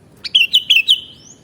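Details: Sooty-headed bulbul song: a quick run of four bright whistled notes, each sliding downward, then a thin, fading rising whistle, over a quiet low background hum.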